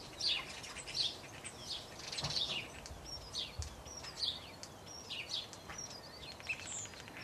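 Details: Common starling in a garden in Hengelo, Netherlands, giving a busy run of short, high chirps, clicks and slurred whistles, several per second, over faint outdoor background noise.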